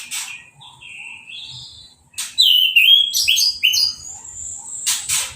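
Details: Orange-headed thrush singing after its moult and a hose bath, without a cage cover. A soft warble is followed by a rapid jumble of loud, sliding whistled notes, with water-spray hiss at the edges.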